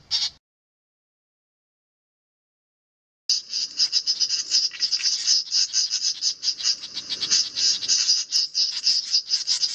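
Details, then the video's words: Great reed warblers mobbing a 3D printed cuckoo decoy in nest defense: one harsh note, three seconds of silence, then a dense, continuous stream of scratchy rasping calls that runs to the end. "Great reed warblers mobbing 3D cuckoo decoy"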